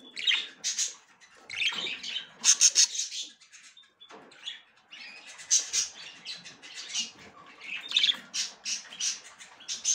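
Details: Female budgerigar checking the nest for the first time, ready to breed; dense, scratchy, high chirping chatter in rapid bursts, with a short pause near the middle.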